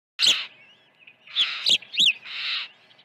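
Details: Osprey at the nest during an early feeding, 1 June 2019, around 08:24 in the morning; loud, harsh, screechy chirps alternate with sharp arched whistled notes in an irregular burst.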